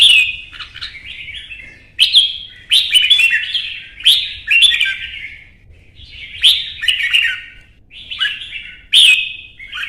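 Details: Red-whiskered bulbul, a kept ornamental bird from Vietnam, in intense agitated contest singing: short bright warbled phrases, each opening with a sharp loud note, repeated about every two seconds with brief pauses between.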